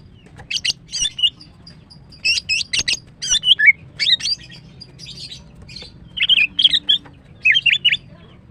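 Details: Female greater green leafbird with long, lively song, kept as a lure for a silent male: steady series of sharp chirps and twittering whistles in short clusters, one after another.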